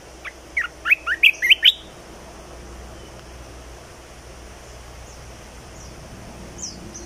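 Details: Red-whiskered bulbul, a cage bird, giving its new song: a fast series of about six loud, slurred whistled notes in the first two seconds, then faint distant chirps.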